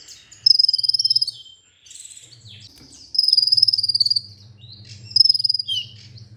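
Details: Olive-backed sunbird (kolibri ninja), from a masteran lure recording: repeated very high, rapid buzzy trills roughly a second each, separated by high slurred notes, over a steady low electrical hum.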